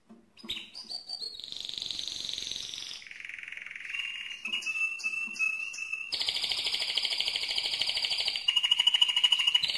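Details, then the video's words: Strong mosaic canary song of varied tours: quick chips, a long rolling trill, lower whistled phrases, then loud rapid rattles and a final pulsed trill. "le Chant le plus fort de canari mosaïque"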